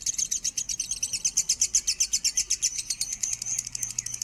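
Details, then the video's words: Short burst of lovebird song in the standard tone, used as a master for training: shrill, very high chattering pulses repeated rapidly and evenly, a steady buzzy stream with no pauses. "suara burung lovebird minor nada standar"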